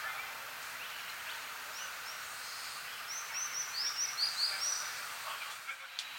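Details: One of a pair of scarlet minivets on 20 March 2010 gives a quick run of high, thin whistled notes, about eight in two seconds, over a steady background hiss.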